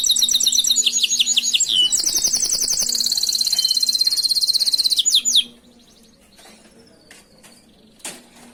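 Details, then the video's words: Canary master song meant for tutoring other canaries: a loud, rapid rolling trill of high repeated notes lasting about five seconds, ending abruptly, followed by near silence with a few faint clicks. "Masteran burung Kenari"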